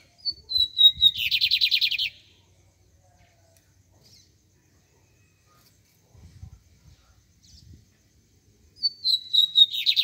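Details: Two songs from a double-collared seedeater (bigodinho) are separated by about seven seconds of near silence. Each opens with a sliding, descending whistle and then rattles off a fast, buzzy series of high repeated notes. Faint low knocks fall between them.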